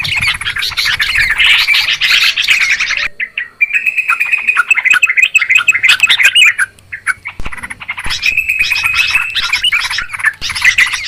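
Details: Noisy trucukan, or Yellow-vented Bulbul, recording for luring birds to traps: busy overlapping chirps, a brief quieter spell, then clear whistled phrases and renewed rapid chatter, about three notes a second.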